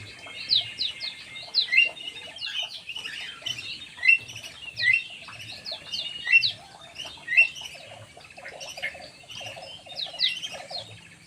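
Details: Black-naped oriole lure call: sharp, high slurred notes repeated in quick bursts every second or so, laid over steady twittering from several birds and a faint low buzzing.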